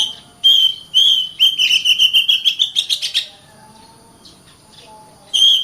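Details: Kacer, the Oriental magpie-robin, in full 'gacor rapat' song meant to rouse other birds to sing and fight: two clear whistles, then a fast stuttering trill climbing gradually, silence, and a final whistle.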